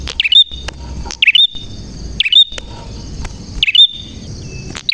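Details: Bar-winged prinia in clear, persistent song: bright, hooked chirps repeated roughly every 1.1 seconds, each burst quick and sharp, with a constant high-pitched hum running underneath.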